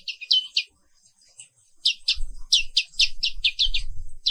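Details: Black-capped white-eye, an Indonesian endemic, in morning song: bursts of high sharp chirps, about ninety a minute, over low rumbling handling noise.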